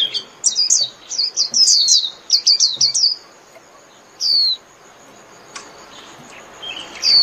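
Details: Japanese white-eye singing to gather the flock: a quick series of high, thin, falling whistled notes for about three seconds, then isolated single downslurred notes after a quiet gap.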